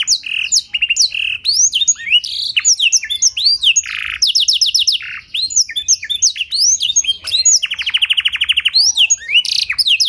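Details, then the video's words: Blackthroat-filled canary singing clearly as master and lure material for training canaries: dense, continuous warbling of quick upward sweeps, short buzzes, and two rolling trills. "Pancingan & Masteran Burung Kenari Isian Blackthroat Suara Jernih!"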